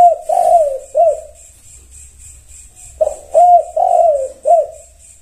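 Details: Spotted dove, locally tekukur, responding in song: a coo phrase of three hoarse notes, a gap of two seconds, then a fuller repeat of four notes; steady pulsing high insect-like buzz underneath.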